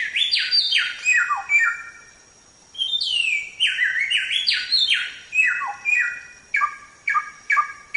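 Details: Samyong song meant to teach pet songbirds, lively and varied: clusters of loud down-swept buzzy notes, a short pause, more cascading phrases, then crisp, clipped chips spaced roughly half a second apart.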